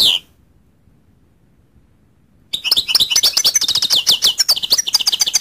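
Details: One brief chirp, about two seconds of silence, then a goldfinch breaks into quick, bright, high-pitched twittering that continues to the end.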